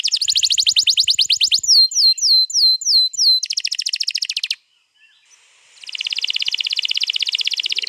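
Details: Canary recorded 21 April 2022, a long rolling song used to prompt other canaries to sing: fast buzzy trills, a series of down-slurred whistles, another rapid trill, a brief pause, then a dense high rolling trill.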